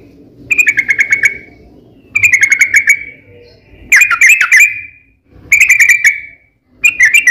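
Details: Yellow-vented bulbul singing a long, lively song used as a lure to make other bulbuls sing: five bursts of bubbly, warbled notes, each about a second long, separated by short pauses, over a faint low hum.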